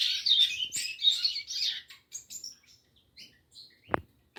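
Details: Rusty-collared seedeater giving a quick run of high, chattering notes for about two seconds, followed by sparse single chips and a sharp click near the end.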